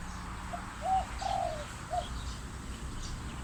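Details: Wild spotted dove calling in natural surroundings, heard alongside an Asian koel: three soft, low cooing notes at a steady mid pitch spread across about a second, over quiet background hiss.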